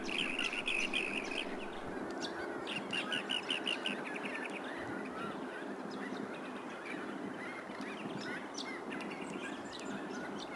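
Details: Rainbow bee-eaters gather at Byron Bay, New South Wales, Australia, in August before the breeding season while feasting on bees. They give many short, rolling, high chirps in quick overlapping bursts over a steady rush of wind or distant noise.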